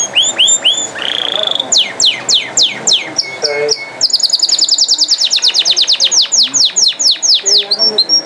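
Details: Canary in full song: rising slurs and sweeping notes lead into a long, fast rattle of repeated descending whistles several times per second, with brief lower tones mixed in and faint background voices.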